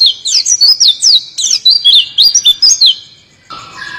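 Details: Oriental white-eye delivering a rolling song of fast, high, zigzagging chirps in an unbroken run of about three seconds, then a short stretch of softer background sound.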